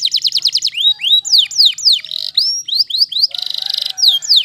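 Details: Waterslager canary in song, delivering quick falling notes, looping upward whistles and a dense buzzing roll near the end, with short breaks between phrases.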